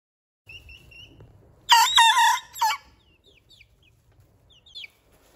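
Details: Two-month-old Lemon Millefleur Sablepoot bantam chicks, almost fully feathered, in a garden; young cockerels are beginning to crow. A loud, hoarse, wavering crow-like call lasts about a second, preceded by thin steady whistles and followed by a few faint high chirps.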